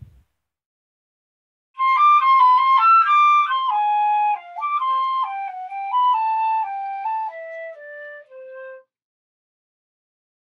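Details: A short flute melody of clear, stepped notes wanders downward for about seven seconds, with no animal voice present.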